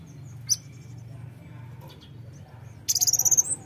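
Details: Brown-throated sunbird song meant to set birds singing: a single sharp high chirp, a quiet pause, then a quick shrill trill of roughly ten notes near the end, over a steady low rumble.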